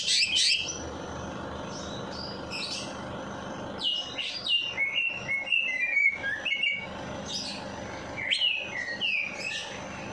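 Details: A bird sings after a night bath, used to prompt sluggish birds to sing: fast high chirps and short whistled slurs, dense twittering notes several per second, some sharp buzzy bursts, over a faint constant background hum.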